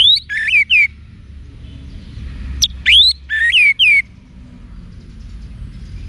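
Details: Orange-headed thrush singing loud whistled phrases: sharp rising and falling slurs in short clusters, a pause, then a longer, varied run of notes. Faint low background rumble.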